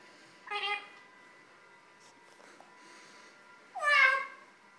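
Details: Lilac-crowned amazon vocalizing in talking mode: a short, nasal, harmonic call, then soft faint clicks, then a longer, louder, meow-like cry that drops in pitch at its end. A quiet steady hum is present throughout.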